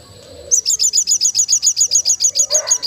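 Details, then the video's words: Crested jay giving a loud, high, dry rattle of rapid repeated notes, about seven a second, kept up steadily for over two seconds. "sogon gacor ngleper"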